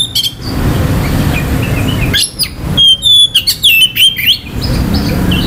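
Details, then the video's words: Oriental magpie-robin song meant to rouse other males' aggression and breeding urge; a brief note, low rumbling noise, then a loud two-second outburst of clear whistles, rising and falling slurs and quick chips. "KICAUAN KACER || CEPAT MERANGSANG KACER LAIN TERDONGKRAK EMOSI DAN BIRAHINYA."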